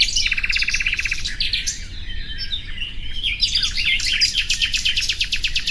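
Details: Common nightingale singing, a bright varied song: a rapid buzzy trill of repeated notes, then sharp whistled phrases, and a fast series of clicking, repeated notes near the end, over steady low background rumble.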